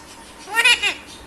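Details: Pet Alexandrine parakeet talking in Hindi and Urdu, asking for a kiss with the words "Paari de do": a brief two-part voice-like utterance with rich overtones, indoors with a faint background hiss.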